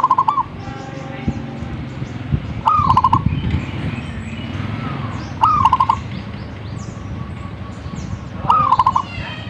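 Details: Zebra dove singing actively, with four bubbling coo phrases about every three seconds. Each is an opening note and then a rapid staccato run. A steady low rumbling background noise runs throughout.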